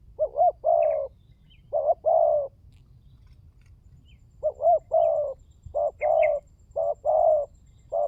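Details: Spotted dove calling as a lure: several husky cooing phrases, wavering double notes and longer drawn coos, grouped unevenly, while small birds give faint high chirps now and then.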